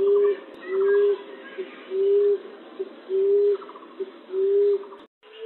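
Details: Lure recording used to trap a colony of ground-dwelling pigeons: emerald dove, zebra dove and ground pigeon. Soft, low, steady coos, each about half a second, repeat roughly every second. Faint higher chattering trills sound between them, then a brief dropout near the end.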